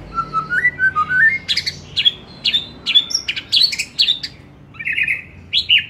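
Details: Afternoon song of a white-rumped shama: slow rising clear whistles climb step by step, then break into sharp, varied, emphatic notes and a buzzy rattled phrase, with a faint background hum.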